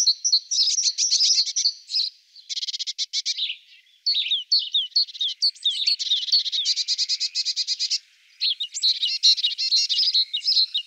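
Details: Great tit giving a long, busy series of calls: harsh buzzy churrs mixed with bright, high chip and tink notes in uneven bursts, with short gaps around the fourth and eighth seconds.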